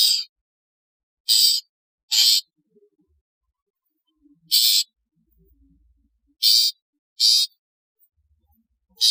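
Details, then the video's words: Long-tailed shrike, known locally as cendet, calling as in the wild: loud harsh rasping bursts, each about half a second, given singly or in pairs with long silent gaps between. "TERAPI Suara panggilan CENDET 🦜 SUARA ASLI CENDET seperti ALAM LIAR"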